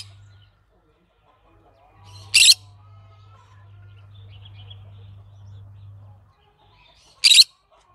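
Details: Green-cheeked conure uttering two sharp, brief squawks about five seconds apart, with a low electrical hum and faint soft chirps in between.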